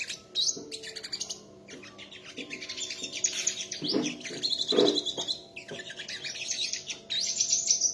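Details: Sunbirds singing against each other in a contest: busy high twittering and trills with short whistled phrases, and a few lower knocks underneath.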